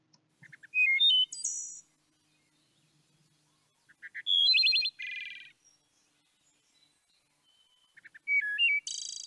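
Wood Thrush singing three flute-like phrases about four seconds apart, each opening with soft short notes, rising to clear liquid whistles and ending in a high, shimmering trill.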